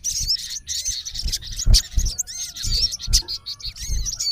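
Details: Male olive-backed sunbird calling a rival in natural habitat: high, thin, sharply modulated chirps and twittering notes in quick irregular bursts, with low dull thumps underneath.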